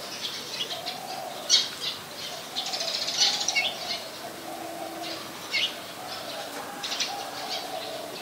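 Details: Olive-backed sunbird calling in mangrove forest at the Sirinart Rajini centre, giving scattered thin, high tweets at irregular intervals, with a faint lower hum running underneath.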